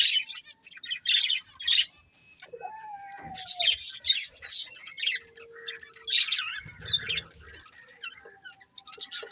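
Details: Budgerigars give bursts of high chattering chirps between short pauses, with a few thin whistled notes and occasional harsh squawks.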